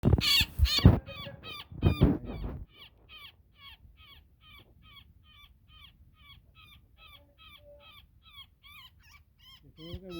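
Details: Woodpecker caught in a net during a rescue, giving distress calls: after loud rustling and handling noise in the first seconds, harsh nasal calls repeat roughly every third of a second, fairly faint, with a crackle at the end.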